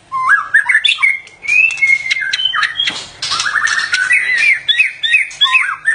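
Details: White-rumped shama singing during mating: a fast stream of varied clear whistles, quick upward slurs and repeated short notes, with harsh buzzy bursts mixed in and sharp trilled phrases toward the end.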